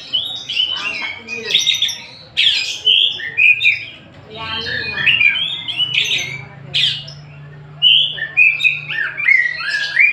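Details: Song of an Oriental magpie-robin, Tasik type: loud whistled and harsh notes in varied bursts with short pauses. A low steady hum and faint voices sit beneath the bird.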